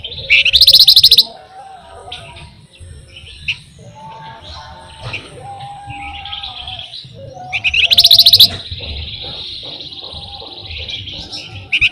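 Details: Flamboyan, a songbird kept in Indonesia, singing in a lively gacor style used as a lure for other songbirds: two loud bursts of rapid high chattering trills, with long thin whistled notes and softer twittering between, faint low background hum.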